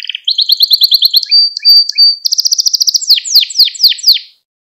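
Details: Domestic canary singing a training song for young birds: a quick pulsed trill, short steady whistles, a dense rattling run, then a series of sweeping downslurred notes, with nothing else audible.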